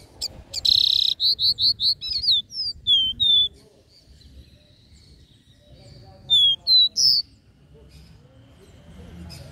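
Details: Capped seedeater singing the regional three-note 'Dó Ré Mi' song style: a burst of rapid notes, then a string of clear high whistled notes, some slurred downward. After a pause comes a shorter phrase of three or four whistles. The background is quiet.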